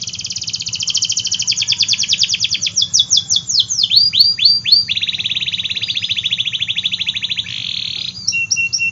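A canary sings a long, continuous song of rapid trills and rolling phrases, shifting between fast buzzy rattles and sweeping whistled notes, with a faint low hum beneath.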